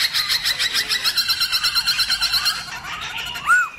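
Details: Black-throated laughingthrush in forest-style song used to rouse other birds; a quick regular series of harsh buzzy chattering pulses, ending with a couple of clear arched whistled notes.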